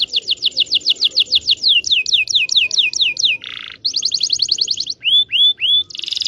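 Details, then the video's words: Canary delivering a long training song for young canaries: rapid strings of down-swept chirps, a harsh buzz, a fast trill, then three separate up-curving whistles and a closing buzzy burst. "KENARI GACOR NGEROL PANJANG PANCINGAN KENARI PAUD BELAJAR BUNYI"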